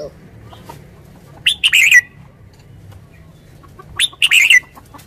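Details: Red-whiskered bulbul in a cage, kept as a decoy bird in Thailand: two quick, bubbly, chattering phrases about two and a half seconds apart, with faint low hum beneath.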